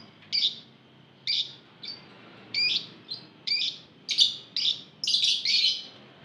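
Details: Chorus of many lovebirds used as a lure to set other lovebirds singing; shrill, piercing chirps come in bursts every half second to a second, growing denser and more overlapping toward the end.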